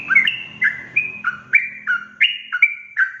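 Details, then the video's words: Yellow-vented bulbul in a fast, excited song played to rile rival birds: chirpy notes alternating high and low, roughly three per second, over a faint low hum at the start. "Suara Trucukan Ropel Gacor emosi sekali putar semua burung trucuk di bikin panas naik pitam"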